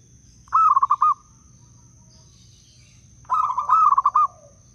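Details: Local Blora zebra dove of wild stock, with a crystal voice for luring other doves, sings two rolling phrases of pulsed, gurgling coos about three seconds apart. A steady high whine carries on in the background.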